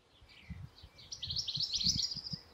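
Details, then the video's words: European goldfinch singing: a fast twittering run of high, jangly notes building after a quieter start, with soft low thumps and rustling beneath. "European goldfinch (Carduelis carduelis) singing"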